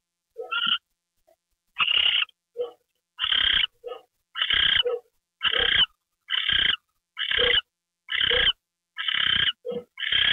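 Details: Owl getting a mouse treat at 9:33 PM on January 28, 2013: harsh, breathy hissing bursts, each about half a second long, repeat roughly once a second, with short, lower chirping notes in some gaps.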